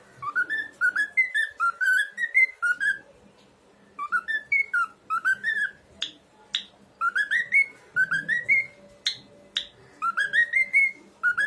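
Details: A young cockatiel chick whistles and sings bright, rising notes in quick runs, pausing briefly between phrases.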